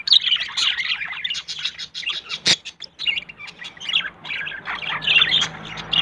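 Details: Yellow male and blue female budgerigars forming a pair and seeking a nest site chatter in quick, scratchy chirps and squawks, with one sharp click near the middle and short lulls.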